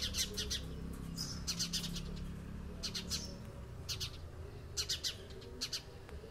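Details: House sparrow chatter in a lively 'conversation': clusters of short, bright, harsh chirps arriving in bursts roughly every second, with brief pauses between groups, over a steady low hum.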